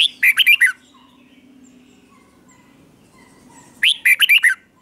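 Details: Red-whiskered bulbul in doubled song style, played for young birds to learn: two lively phrases about four seconds apart, each a rising note leading into a fast string of clear, slurred chirps.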